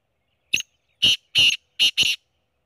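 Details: Black quail giving a quick series of five abrupt, rasping notes, a soft opening note followed by four stronger bursts spaced closely, with a silent background.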